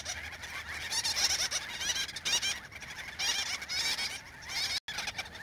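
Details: Gull-billed terns at a breeding colony in central Spain, adults busily feeding chicks; dense overlapping harsh, raspy calls from many birds in bursts, a constant chattering din with brief pauses.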